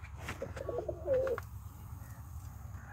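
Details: Pet fantail pigeon at a breeding farm giving soft, low cooing notes that swell into a rolling coo near the middle, over a steady low rumble.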